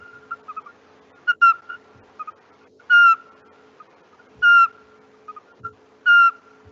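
Eurasian pygmy owl song: clear, mellow whistled hoots on one pitch, repeated about every one and a half seconds. Fainter bird notes and a steady low hum sit underneath.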